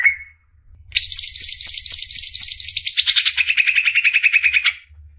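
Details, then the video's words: Besetan song of a greater green leafbird (cucak ijo), clear masteran recording for training caged birds: one brief note, then an unbroken fast rattling trill of about four seconds, starting high and sliding lower, over a soft low hum. "Besetan suara burung CUCAK IJO"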